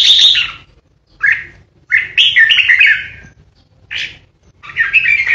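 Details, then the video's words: A caged lure red-whiskered bulbul sings the fierce 'ché' style used against competing birds, with clear, fluty, rolling phrases of several notes each, about five bursts spaced by brief silences, over a faint background hum. "Chào mào mồi hót ché đỉnh | Red-whiskered Bulbul | นกปรอดหัวโขน"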